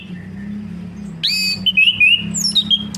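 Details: Orange-headed thrush stimulation song for a bird that has gone silent: a harsh, rich note, then a rapid run of sweet, rising and falling whistles climbing higher at the end.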